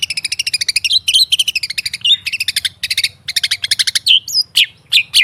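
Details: Long-tailed shrike (cendet or pentet) song, played to provoke kept shrikes that have stopped singing into opening their beaks: fast harsh rattling trills alternate with short upslurred whistles in quick succession.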